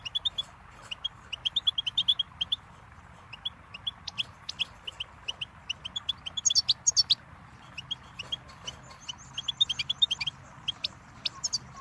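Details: Goldfinch song for training chicks and songbirds, a busy, continuous twittering of rapid chirps with livelier, denser flourishes partway through, set against a low background hum.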